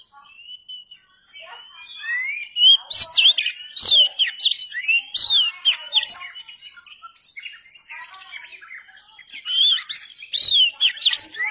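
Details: Oriental magpie-robin singing a rich, varied song: a thin whistle first, then loud bursts of sweeping, looping whistled notes and sharp chirps, some rising and some falling, with short pauses between phrases.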